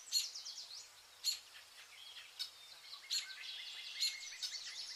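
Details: Vernal hanging parrots feeding on pearl millet in August give sharp, high, clipped chips at irregular intervals over softer continuous twittering from several birds.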